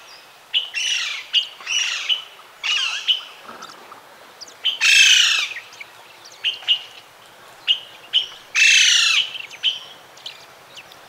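Duivenbode's lory giving harsh, grating screeches in short bursts about half a second long, with two louder, longer shrieks and a few thin chirps between them.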